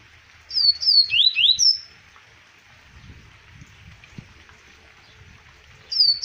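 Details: Captive Double-collared seedeater in Arapiraca, Alagoas, Brazil, singing a quick phrase of clear, high whistled slurs rising and falling for about a second and a half, then starting again after a pause.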